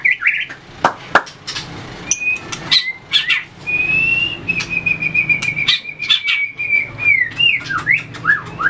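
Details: White-rumped shama in fighting-song practice, tail flicking and hopping between perches: a sustained steady high whistle held for several seconds, then looping slurred notes, amid sharp clicking sounds.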